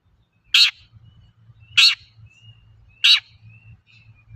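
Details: Long-tailed shrike singing loudly, used as a lure to provoke other shrikes into song: three harsh, broadband rasping notes about 1.2 seconds apart, with faint thin whistles between them and a low hum underneath.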